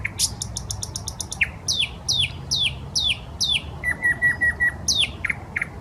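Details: Common nightingale in full song at the Smolenka park, Saint Petersburg: loud varied phrases of clicking pulses, repeated descending whistled slurs, and a series of level piping notes, each motif repeated several times.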